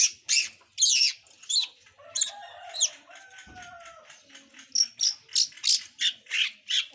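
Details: Young long-tailed shrike learning to sing: harsh, raspy bursts repeated about twice a second, with a few thin whistled tones drawn out in the middle.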